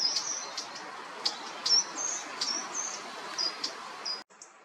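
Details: Short-toed treecreeper in coastal woodland at Taramancos beach, Noia, on the Ría de Noia: thin, very high, faint notes, each short, repeated irregularly about every two seconds over a soft constant background hiss.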